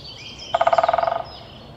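Pileated Woodpecker drumming: a fast, resonant roll of about fourteen beats in under a second, fading toward the end, with a thin high hum behind.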